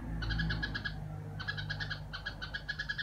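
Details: Caged household red-whiskered bulbul doing "rò", three bursts of fast, rattling, nasal notes separated by short pauses, over a constant low drone.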